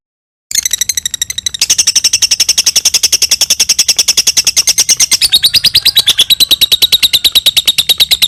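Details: Lovebird ngekek, a long trill used as a training model: after half a second of silence, a fast buzzy run of notes, then a louder sustained chattering trill of rapid even notes, pitch stepping down near the end.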